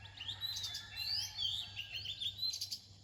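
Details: Near dawn, an Oriental magpie-robin delivers a rich run of varied high whistles and quick warbled notes, tumbling up and down without a break, over a faint low background hum.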